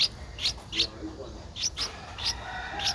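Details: Streak-eared bulbul nestling, 11 days old, in Ubon Ratchathani, Thailand, on 13 April 2023: short, high, sharp chirps given singly and in pairs about every half second, over a soft background hiss.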